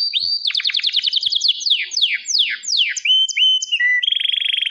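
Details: Canary song with a quick stuttering trill, then several loud sweeping downward slurs, short whistled upslurs, and a closing rapid pulsed roll; bright and high throughout.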